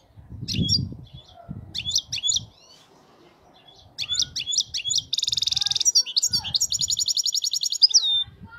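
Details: European goldfinch, wild-caught, delivering clean song: short clusters of high chirpy twitters with soft low bumps between them, building into a fast, dense buzzy trill and an even run of rapid repeated notes.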